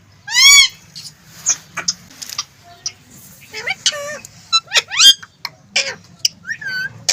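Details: Green ring-necked parrot talking: a string of short, high, harmonic syllables with rising and falling bends, spoken in quick word-like bursts separated by brief pauses, over a low steady hum.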